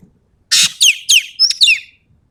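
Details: Ekek keling from Sumatra in full song, tembakan phrase: a loud harsh rasp followed by four crisp, steeply falling whistled notes in quick succession, about one and a half seconds in all.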